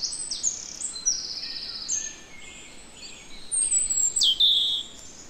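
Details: European robin song recorded in the Netherlands: a string of thin, high sustained whistles at shifting pitches, then a brighter sliding down-slurred phrase near the end, with quiet background birdsong.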